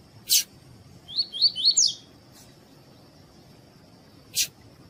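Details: Double-collared seedeater, tui-tui type, male with calling female, used to warm up a captive male for training: a short phrase of four upward-sweeping whistles, framed by two sharp clicks and a constant faint high tone.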